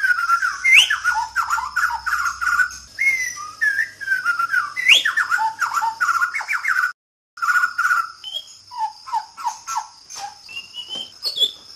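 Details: White-rumped shama (murai batu) of Sabah, Borneo, pouring out a loud, fast song of slurred whistles and chattering notes, briefly cut off, then resuming with softer downslurred notes; steady insect hiss behind.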